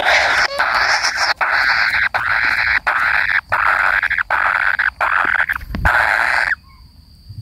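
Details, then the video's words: Long run of coarse, buzzing rasps from a kingfisher chick waiting for its parent, with brief breaks between bursts, stopping suddenly into quiet with a faint hum. "burung tengkek kayu menunggu induk nya"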